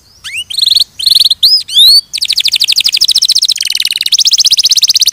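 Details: Canary opening with rising sweeps and short buzzy notes, then launching into a dense, fast rattling trill.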